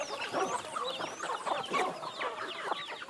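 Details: Free-range chickens being fed by hand in Minas Gerais, Brazil: a dense flock chorus of overlapping clucks and short rising squawks, continuous throughout with no pauses.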